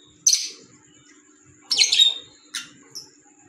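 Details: Green Fischer's lovebirds kept as pets: three sharp, piercing high chirps, the middle one longer and buzzy, with a faint short squeak at the end.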